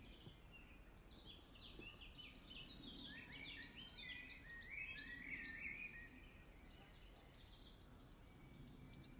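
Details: European goldfinches feeding at RSPB Ham Wall, Somerset Levels, UK, on 15 May 2023 give a busy, liquid twittering of quick tinkling notes, several birds calling over each other, loudest midway, with faint background rumble.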